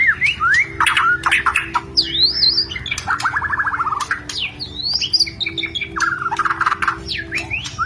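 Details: Rencetan call of a white-rumped shama to spark mating: swooping whistles, a fast rattling trill, arched high whistled phrases and bursts of chatter, with a constant low hum beneath.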